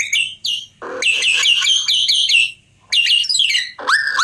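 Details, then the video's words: White-rumped shama song of loud, rich whistled phrases, mostly high, with sweeping notes and a low rising note, broken by short pauses. "Murai keren"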